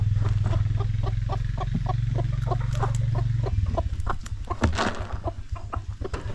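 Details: Backyard chickens clucking: dense, rapid short clucks at about three per second, uneven in rhythm and overlapping from several birds, over a steady low hum that drops away halfway through.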